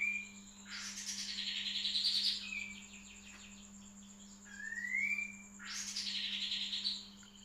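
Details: White-rumped shama song used as a training recording for other birds: loud rich bursts of dense high warbling alternating with a single clear rising whistle, over a steady low electrical hum.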